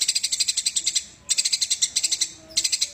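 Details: Fighting Eurasian tree sparrow: fast trilled bursts of bright, ringing high notes, each burst about a second long, separated by brief pauses.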